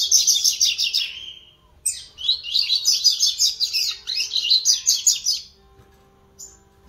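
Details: A young double-collared seedeater practises its song on 11 September 2021, in rapid, high, buzzy twittering phrases, a short burst and then a longer rambling run, over a faint low hum.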